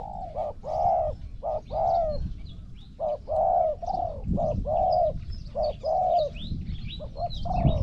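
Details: Zebra dove in a Thai cooing competition, voice scored for points: low mellow coos in quick bursts, some clipped, others drawn out and rolling, about twenty-three phrases a minute, over rural background noise and faint chirps of other birds.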